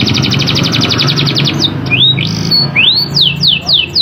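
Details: Canary in full song with sharp rolling trills, played to prompt lazy canaries to answer. A fast, high buzzy roll gives way to rising and falling whistled slurs, then a row of quick descending sweeps, over a low background hum.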